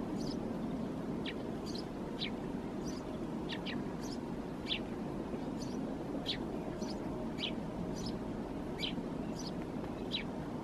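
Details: Eurasian tree sparrow perched in a thicket in Helsinki, Finland, in January 2022, giving short, bright chirps. Single notes and quick pairs come roughly every half second to second over a steady low traffic-like rumble.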